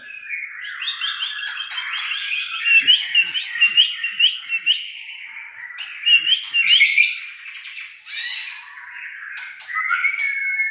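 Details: Continuous rich song from an Aceh white-rumped shama, a fast jumble of chattering, trilled and whistled notes with harsh bursts midway, ending on a clear sustained whistle; nothing else audible.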